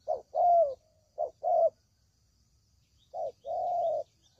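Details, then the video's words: Lure recording of spotted dove for trapping: short clipped coos paired with longer mellow ones, a long quiet pause midway, then another two-part coo. "Suara Pikat Burung Tekukur Paling JITU"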